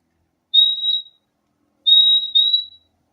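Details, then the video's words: Fim-fim (purple-throated euphonia) singing: a single high pure whistle, then a doubled 'fim-fim' pair of steady whistled notes about a second later, with silence between. "O LINDO SOM DO PÁSSARO FIMFIM"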